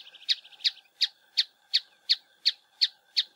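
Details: Rock Tapaculo (Scytalopus petrophilus) recorded in Santa Bárbara, Minas Gerais, Brazil: a soft, quick stuttering run, then a steady series of sharp, high notes, nearly three per second, each dropping slightly in pitch.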